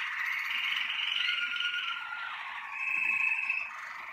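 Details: Malinois Waterslager canary from a bred and selected 2019 team, singing a continuous low, rolling, bubbling warble that shifts pitch midway, over a steady background hiss.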